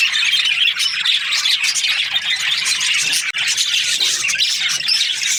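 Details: Budgerigar breeding pairs chirp and chatter in a thick mix of high tweets and squawks, with one abrupt brief dropout partway through before the noise resumes.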